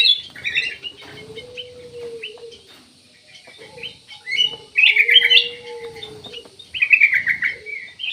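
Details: Black-naped oriole singing bright, chirpy phrases that rise and fall, in bursts near the start, middle and end, over a steady low drawn-out tone that comes and goes.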